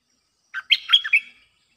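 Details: Lure song of a bulbul used to draw in wild birds: one lively bubbling phrase of four or five quick, clear notes that rise and fall, about a second long, on a quiet background.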